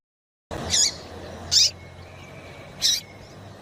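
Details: Female double-collared seedeater calling to stimulate a male: after a brief silence, three high, short chirps about one second apart, with a faint steady whistle-like tone between.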